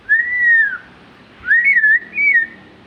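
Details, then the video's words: Magpie-robin song: three clear whistled phrases, a long smooth slurred note falling at its end, then two shorter wavering whistles after a pause, over faint low background hum. "burung murai gacor"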